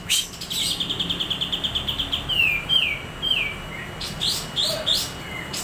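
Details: White-rumped shama tutor song opening with a fast run of about fifteen repeated high notes, then downward-slurred whistles and bright chirps, over steady background hiss.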